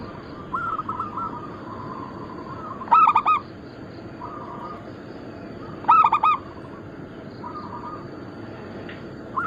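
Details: Local zebra doves crossed with Bangkok stock, recorded as lure and training material. Two loud rolling coo phrases about three seconds apart stand out over quieter answering phrases from other doves nearby.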